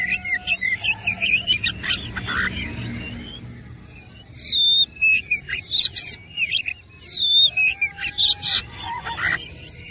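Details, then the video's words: A fighting oriental magpie-robin sings a rich filler song of rapid chattering notes and harsh buzzes, softening briefly before loud whistled phrases and scratchy bursts resume. "KUMPULAN KACER ISIAN MEWAH NGOTOT GACOR TARUNG"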